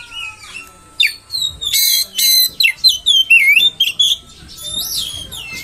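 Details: Provocation song of an oriental magpie-robin: harsh buzzy bursts mixed with clear whistled slurs and dipping notes, delivered in quick, irregular phrases.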